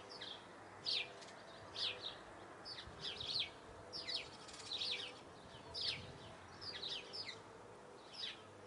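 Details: Eurasian blue tit song in brief high-pitched bursts about once a second, each a quick cluster of thin descending notes, with a low steady hum behind.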